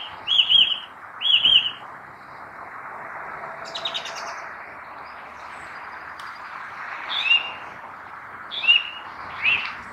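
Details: Song thrush (Turdus philomelos) in song, a clear whistled phrase delivered twice in quick succession, then after a pause further ringing phrases repeated at intervals, all over a constant soft rushing hiss.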